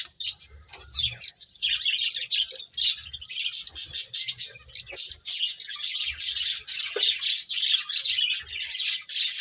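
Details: Finches chirping while playing, a dense continuous chatter of short high twittering notes with no pauses, several birds calling over one another.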